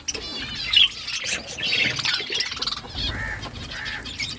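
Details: Budgies chirping in the morning with a constant squawky warble of many overlapping birds, rapid trills and scratchy squeaks, and two short nasal calls toward the end.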